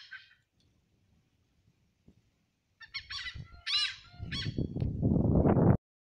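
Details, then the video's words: Hornbills in Wadavali village, Rajapur, Ratnagiri, Konkan, give loud, nasal, honking calls in a brief burst, then several harsh cackling notes in quick succession, ending with wind-like rumbling. "'धनेश पंछी Hornbills Bird' की आवाज"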